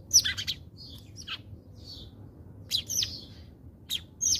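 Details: House sparrows at a feeder with food put out in South Africa give sharp, falling chirps in quick clusters, then a pause and more loud chirps toward the end, over a quiet background hum.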